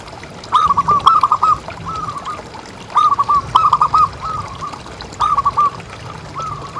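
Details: Zebra dove of local stock, known for strong, persistent calling, played to coax other doves into calling: quick stuttering coo phrases of three to four hollow notes, repeated about every two seconds over low hum.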